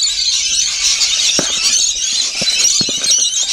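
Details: Brief burst of rainbow lorikeets feeding: a dense shrill chorus of screeches and chatter, unbroken, with faint tapping sounds below.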